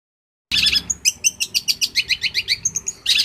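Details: Champion long-tailed shrike from Banyuwangi, recorded as a master song for training other shrikes: rapid run of sharp, high chirped notes repeated about five times a second, with bursts of scratchy, buzzy phrases at the start and end.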